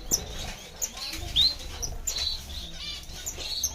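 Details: Diamond firetail finch uttering quick, high-pitched tweets and short squeaky notes spread through the recording, against a noisy, scratchy background.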